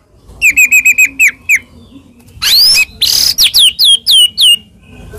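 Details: White-rumped shama song used as a lure to stir a silent shama into singing: a quick run of short whistled notes, then loud, pure whistles sweeping up and down, repeated several times with brief gaps.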